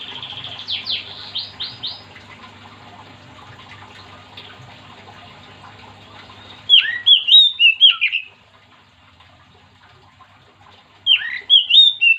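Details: Oriental magpie-robin singing keenly to get other magpie-robins singing. Quick soft whistles at first, then two loud bursts of bright, slurred whistled phrases, separated by a silent gap of about three seconds.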